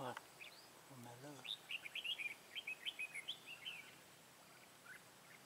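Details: Red-whiskered bulbul with white cheeks, a decoy bird used in bulbul trapping, recorded 1 September 2017 in Vietnam: a quick run of about a dozen bright chirpy whistled notes over a few seconds, after a brief human voice.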